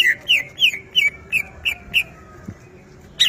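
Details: Caged greater green leafbird at home, trained for song contests, singing busily: short loud downslurred whistled notes repeated roughly three times a second, each with a sharp click-like onset, then a brief pause before a final higher note.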